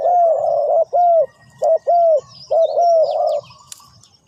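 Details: Spotted dove giving three loud phrases, each a brief note then a longer arched coo, clear and close, followed by quiet with faint distant chirps.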